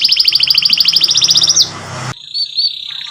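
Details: Canary tutor song for young birds learning to sing: a quick, bright rolling trill lasting about one and a half seconds, then a sudden cut to a few soft whistled notes.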